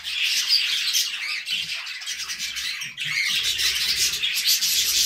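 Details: Chattering budgerigars in steady song, harsh squawky notes mixed with high chirps and twitters, a brief dip in loudness near the middle before the chorus resumes.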